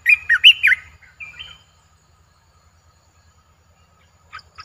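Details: Newly acquired caged streak-eared bulbul delivers a loud, bubbly warble of looping whistled notes. A shorter flat whistle follows, then quiet. Two faint high chirps come at the end. A low hum runs underneath.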